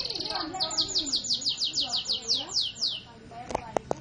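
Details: Canary song: a short high trill, then a run of about eleven downward-sliding whistled notes at roughly four per second, ending in a few sharp clicks; quiet voices underneath.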